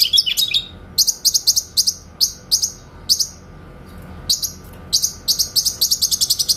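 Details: Training master of a grey-cheeked bulbul, clear tembakan style for white-rumped shamas: rapid bursts of shrill clipped notes, a short pause, then a fast rattling string of chips.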